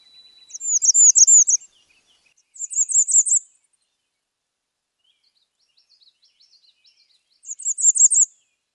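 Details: Bay-breasted warbler singing three times: each burst is a very high, thin run of rapid sibilant notes lasting about a second, with long silent gaps between and faint high notes in the pause.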